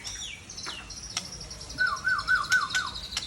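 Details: White-rumped shama from Tangse, Aceh, seven years old: a few sliding high whistles, then a short bouncy trill of about five repeated notes, with sharp clicks.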